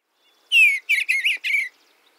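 Eastern Bluebird singing a soft, burry warble of four quick phrases, the first slurring downward, the rest wavering, all within about a second; quiet background.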